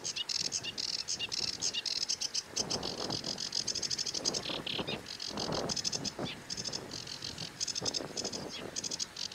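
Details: Sedge warbler song: a long, fast run of harsh chattering and buzzy rattling notes, packed densely and varying in pattern, with lower-pitched pulsing calls underneath.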